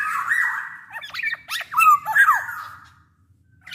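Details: Black-naped oriole, big-bodied and actively singing, used as a lure for orioles: a drawn harsh note followed by quick sharp downslurred whistles, then quiet.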